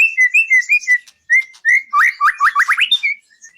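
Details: White-rumped shama song from a contest-training recording: a string of clear two-note whistles that fall in pitch, then a quick series of five or six rising, hooked whistles and a final short note.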